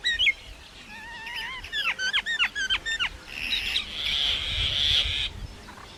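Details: Different sounds from a common myna: a rising whistle, then a rapid series of descending chattering notes, followed by a long, harsh, hissing wheeze.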